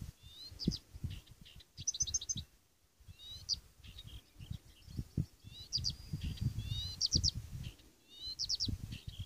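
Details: Blyth's reed warbler singing at Svensksundsviken, Sweden, on 27 June 2015: high quick phrases of clicks, short whistles and rapid repeated notes every second or two, over steady low rumbling background noise.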